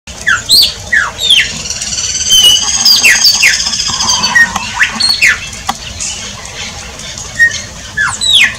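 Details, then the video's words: Shiny cowbird (chupim) singing in Brazil: a busy run of liquid, slurred whistles sweeping up and down, with some high thin notes. Several overlapping voices, and a steady low rumble underneath. "CANTO DO CHUPIM"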